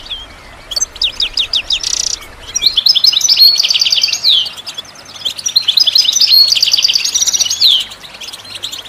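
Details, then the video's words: A goldfinch sings to stimulate other birds to sing. It gives fast high phrases of rolling trills mixed with liquid twitters and buzzy notes. Two long phrases are separated by a short pause. "How do you make your bird goldfinch song in its first minute ?"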